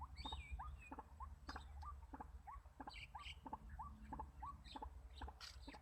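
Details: Decoy White-breasted waterhen used in trapping gives repeated short rising notes at an even pace, roughly two per second, with clicking sounds and some higher chirps from other birds behind.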